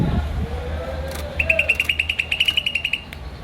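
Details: Green starling delivering a steady run of about fifteen crisp, rapid chirps at a constant pitch, preceded by a soft lower sliding sound and low background rumble.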